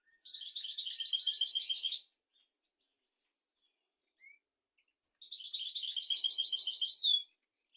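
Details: European goldfinch singing, used as a tutor song for teaching goldfinches and canaries: two rapid twittering, tinkling phrases of dense high notes, each about two seconds long, separated by a three-second pause.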